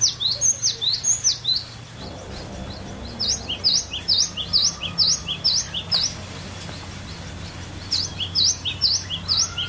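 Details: Kept cinereous tit with a varied song used as a lure for other songbirds: long rhythmic runs of high, sharp double notes sweeping downward, roughly two per second, broken by a short pause with fainter chirps.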